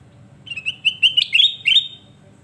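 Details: Sooty-headed bulbul (kutilang emas) singing strongly: one loud, fluent phrase of chirpy whistled notes running slightly upward, rich and bubbly, with only a faint low hum behind.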